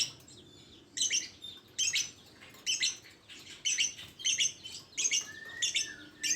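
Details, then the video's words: Rapid series of high, scratchy lovebird chirps, some paired, coming about every half second, with a brief thin whistle near the end. "Suara burung Lovebird"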